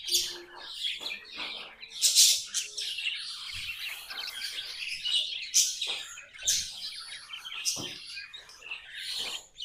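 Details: Pet budgerigars singing a continuous, busy warble of rapid chirps, clicks and squeaks, with louder sharp tweets breaking through every second or two.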